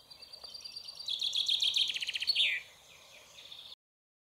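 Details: Common chaffinch singing close up from a large stone about ten metres away, after drinking: a bright, quickening run of repeated notes sliding downward into a final flourish, about two and a half seconds.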